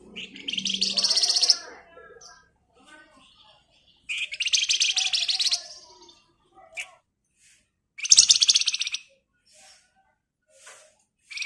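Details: Javan white-eye singing a rapid rolling lure song for training songbirds: three separate, high, buzzy chattering bursts of about one to two seconds each, with short quiet gaps and faint soft chips between.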